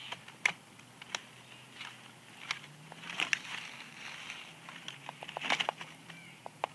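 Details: Scattered sharp clicks, taps and crackles over a quiet outdoor background, like twigs snapping or something being handled, with no animal calls.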